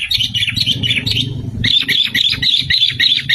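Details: Continuous sooty-headed bulbul song used as a lure: fast, chattering, bubbly notes repeated steadily over a low hum, with a brief pause midway.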